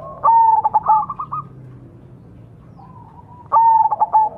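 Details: Zebra dove of the majapahit type, its song used as a lure to make other doves sing quickly: a clear coo followed by a stuttering series of short notes, phrase repeated after a pause, over faint low background noise.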